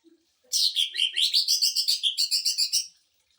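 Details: Greater green leafbird in 'sewing-machine volley' song, played to train and provoke other birds: a dense run of rapid, buzzy high notes, rising slightly at first, about fourteen pulses in just over two seconds.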